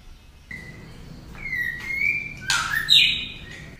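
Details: Female white-rumped shama singing to excite males: short level whistles, a longer wavering whistled phrase, then loud broad harsh bursts and a high ringing note near the end.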